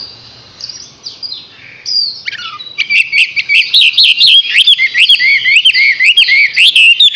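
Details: Chinese hwamei, six months old. Quiet faint notes open, then give way to a fast, steady series of loud, sharp rising whistles repeated several times a second.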